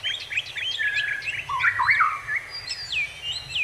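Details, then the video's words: Bird sound: a lively mix of high, whistled chirps and warbled slurs, some rising and falling, repeated in quick bursts, with a low steady background rumble. "bird sound effect"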